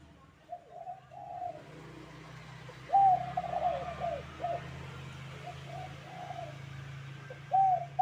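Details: Spotted dove calling in the 'kuk 2' style for bird training; low, hollow coos in short groups over a steady low hum and hiss of background noise.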